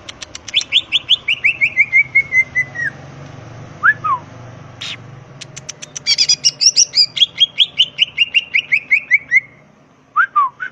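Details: Greater green leafbird in nonstop song full of filler phrases, ngentrok style, crest raised: long runs of rapid descending whistled notes, short slurred calls between, then another fast cascading trill.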